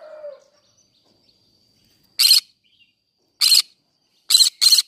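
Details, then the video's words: In a flower garden, a green-cheeked conure gives short grating screeches after a quiet start: one, a pause, another, then a quick closing pair, each burst rough and shrill. "green cheek conure singing sounds"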